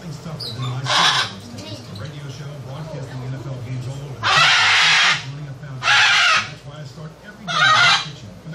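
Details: A parrot making loud noise: four harsh, broadband squawks, each about a second long, spaced irregularly over the recording above a steady low background hum.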